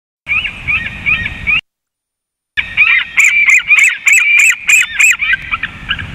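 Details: Eaglet calling at 19:09 as an adult eagle flew away: loud, high, squealing notes in rapid, slightly uneven series, with a brief break, then a denser run topped by sharp, clipped chips.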